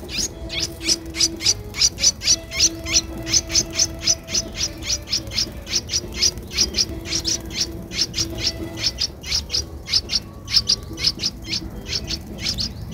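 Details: Streak-eared Bulbul chick aged 12 days, eyes open since day seven, Ubon Ratchathani, Thailand, 14 April 2023; loud, dense, rapid high chirps repeated almost continuously for thirteen seconds, with faint low background sounds.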